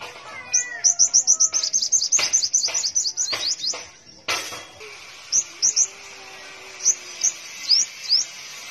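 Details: Caged five-colored sunbird from Tân Phú, Đồng Nai, Vietnam, singing a rapid twittering song: a fast run of high, thin upslurred notes, several sharp clicks or knocks midway, then spaced single upsweeping notes.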